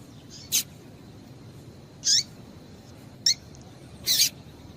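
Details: Four short, high, sharp chips from a female double-collared seedeater, used to stimulate male seedeaters to sing, spaced one to two seconds apart over a faint steady hiss.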